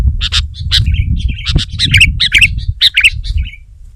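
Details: Sooty-headed bulbul in lively song against a rival, other bulbuls provoked to answer: quick, clipped chirps mixed with short, bubbly warbled notes, over a steady low background rumble.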